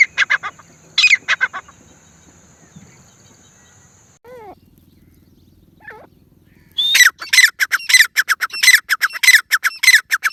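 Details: Grey francolin calling: a few harsh, squawking bursts open the recording, then after a quiet stretch a fast, loud series of rasping notes repeats rapidly, roughly twice per second, to the end.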